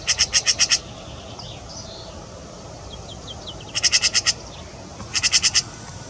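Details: Eurasian magpie in Wuppertal, Germany, giving harsh rattling chatter: three bursts of five to six rapid, evenly spaced grating notes, separated by quieter gaps with faint softer calls.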